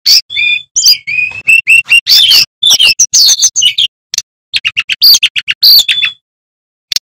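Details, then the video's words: Loud male bamboo flycatcher song, kept as a training recording, showing off a full repertoire: strings of thin whistled notes, then rapid clipped chirps repeated in a fast series before a single final note. "Sikatan Bambu Gacor Bongkar Isian"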